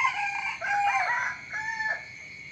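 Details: Morning crowing of a rooster: a coarse, loud call with wavering, slightly falling tones that trails off in a weaker final segment, over a faint steady high background whine.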